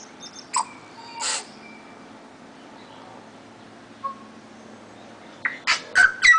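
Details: Tui, one of a pair in a back yard in Auckland, New Zealand: loud sharp clicks and a short low whistle with long quiet gaps, then a rapid cluster of strong notes.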